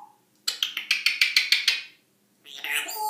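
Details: African grey parrot talking and making funny noises: a quick run of about eight sharp, buzzy repeated notes, a brief silence, then a harsher rasping squawk.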